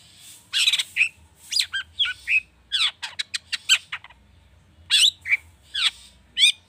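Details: Agitated long-tailed shrike song with rich mimicked fills, used as a lure to get other birds singing: harsh, scratchy bursts alternate with rapid chirps and sharp whistled notes, bunched in quick phrases with short pauses, over a faint low hum.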